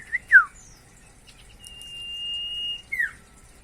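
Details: Common iora, known locally as sirtu or cipoh, in lively varied song: two quick downslurred whistles, then a long, steady, pure whistle held for over a second, ending with another falling whistled note; faint background clicks.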